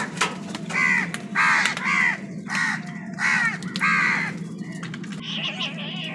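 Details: Wild crows cawing while fighting other birds for food: a series of six harsh, nasal caws, one about every half second to second, then a higher, thinner call at the end, over a low steady hum.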